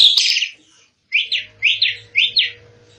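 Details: Asian pied starling (jalak suren) singing as a kept songbird: a harsh buzzy burst, then three paired rasping notes near the middle of the range, with a faint low hum beneath.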